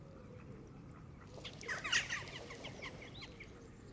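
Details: A flock of Canada geese feeding on green grass at the water's edge, with a short cluster of raspy, cackling honks rising out of a steady low background murmur.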